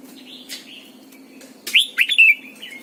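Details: Red-whiskered bulbul, a lure bird, giving morning song: faint warbles, then a loud run of three or four bright slurred whistles dropping and rising, ending in a softer trailing note.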